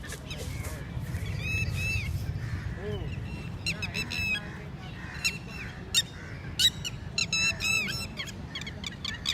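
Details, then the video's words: Red-wattled lapwing (Titodi) at a lake in India while mating: rapid bursts of strident, harmonic call notes, repeated in quick clusters, with background hum and noise. "calling Red Wattlad lapwing (Titodi)"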